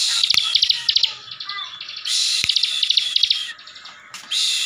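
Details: Caged Bar-winged Prinia from Tegal, Central Java, delivering ngebren song to provoke other prinias: dense buzzy rattles and quick repeated chips, about three notes a second, filling nearly all of the clip.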